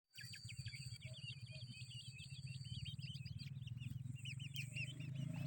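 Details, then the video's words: Grey Francolin chicks give a steady stream of thin, high peeps, several each second, over a constant low rumble. "Grey francolin babies"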